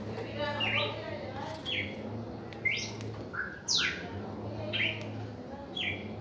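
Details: Red-crested cardinal giving a reaction song: a run of short, sharp whistled sweeps, several falling steeply, with a lower note near the middle and steady low humming underneath.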